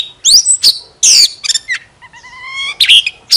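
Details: Oriental magpie-robin used as a decoy bird, singing while fanning its tail: short bursts of bright whistles, a harsh buzzy note and a clear three-part whistle, separated by brief pauses.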